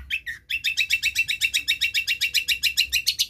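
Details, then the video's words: Long-tailed shrike (cendet or pentet), a clever mimic of other birds' songs, used to prompt silent birds: fast chattering notes repeated about four times a second, after two lower opening calls. "cendet / pentet pancingan segala jenis burung yang macet bunyi"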